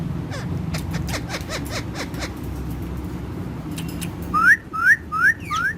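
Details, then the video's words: Parrot kept with other parrots: after a few seconds of soft clicking and faint noise, four bright upslurred whistles come in quick succession near the end. "Talking With Other Parrots"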